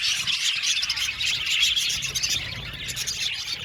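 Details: Seventy pairs of budgerigars housed in an aviary produce a rapid, constant chirping and chattering chorus, high and dense, with faint low background rumble.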